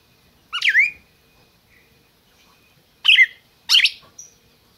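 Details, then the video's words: Captive red-crested cardinal from a licensed Brazilian breeder, calling: three loud, sharp chip-like notes with downward sweeps, separated by long quiet gaps and faint soft whistles. "Cardeal MAQUINA chamando e cantando"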